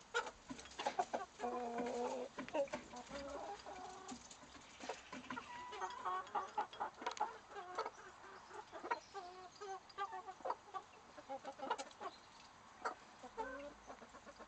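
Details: Chickens react as a two-week-old chick, separated with its broody hen from the flock by a grid, is given food; overlapping low clucks and short cackling notes come in irregular bursts throughout, with several birds calling at once.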